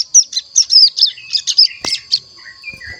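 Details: A one-month-old captive Hill Prinia practises song with a quick string of bright, high, clipped chirps, followed by a few softer, lower whistled notes.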